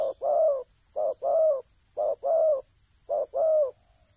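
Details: Spotted dove at a ground decoy-trapping site, delivering four loud low phrases in steady rhythm, each a clipped note followed by a longer, slightly falling rolling coo, with a faint steady high hiss.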